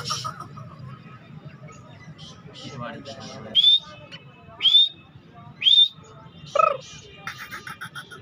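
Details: Tame partridge calling while held loose in a person's hand, fearless and bold: four loud, high, harsh notes with a rising whistled stroke, spaced about one second apart, over low murmuring voices and background noise.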